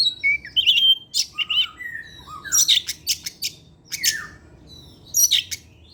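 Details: Oriental magpie-robin, a kept bird singing actively every afternoon and delivering its learned phrases. Thin high whistles and trills mix with harsh scratchy bursts and swooping slurred notes in a varied, fast-changing sequence.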